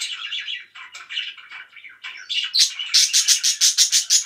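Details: Pet budgerigars chirping loudly: soft warbled chatter, then a run of sharp, high chirps repeated about three times a second.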